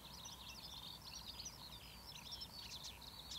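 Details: A marsh warbler sings a fast, unbroken stream of high, varied chattering and twittering notes over a low background rumble, recorded 6 June 2008 at Academy Pools, Cleadon.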